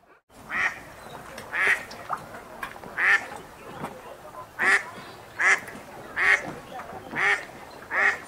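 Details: On a city park river, wild ducks eating and splashing utter some nine coarse, nasal quacks in quick, slightly irregular succession, backed by a constant murmur of water.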